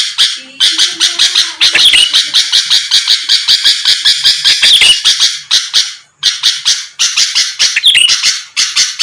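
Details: Sooty-headed bulbul song used to provoke rival birds: rapid rasping, buzzy notes stacked in long runs, a few whistled slurs, and a short silence just past six seconds.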